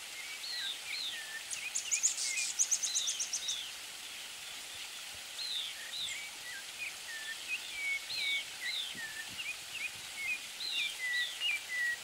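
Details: Streaked xenops in Carmo da Cachoeira, Minas Gerais, Brazil, giving thin, high, sharply slurred chips, two or three a second in loose runs, with a brief dry rattle early on and a soft hiss behind.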